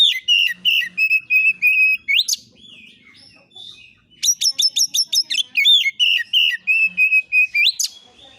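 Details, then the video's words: Oriental magpie-robin song used as a master lure to provoke replies: runs of loud, repeated high whistled notes roughly three per second, a rising sweep, a short pause, then rapid buzzy notes and more repeated whistles. "TERBUKTI AMPUH KACER AUTO NYAUT EMOSI KONSLET masteran burung kacer nembak isian"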